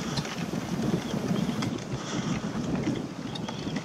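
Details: Steady wind buffeting the microphone along a forest trail, with low rumbling and a few faint clicks, and no clear animal call.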